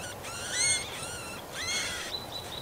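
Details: Marsh warbler chicks being fed by an adult near a nest in shrubs and nettles, Kalinovsky forest park, Yekaterinburg, 30 June 2020; high harmonic calls, rising then falling, in two bursts with a fainter thin note after.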